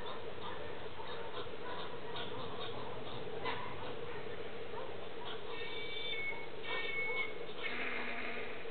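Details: Several whistling herons (Syrigma sibilatrix) interacting in an Araucaria pine give a few thin, high, slightly rising whistles over a low hum. Recorded in Gravataí, Rio Grande do Sul.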